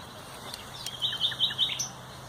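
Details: Short common nightingale phrase recorded 30 April 2021: four or five quick, bright, high notes repeated in a tight series, framed by a couple of sharp ticks.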